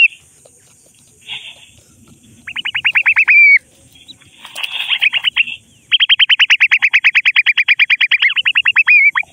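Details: Francolin chicks calling while playing in mud. Bursts of quick, evenly spaced piercing chirps, a short run, then a long series of over thirty notes, separated by a brief rustling, scuffling noise.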